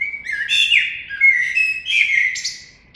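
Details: Common blackbird song, a flowing run of rich whistled notes at fairly steady pitch, broken by several thin high squeaks, with a soft click at the end.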